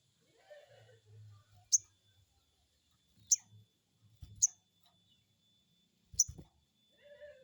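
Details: Crested jay (sogon) crecet notes meant to stimulate a newly caught bird to respond: short, dry, piercing high snaps, four in under seven seconds, with a low hum and soft knocks between.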